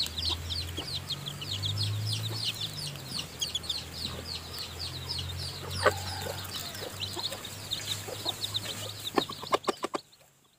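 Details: Newly hatched chickens in a nest being fed by their hen; a continuous chorus of high, thin, falling peeps over a low hum, with a burst of sharp tapping near the end before the sound cuts to quiet.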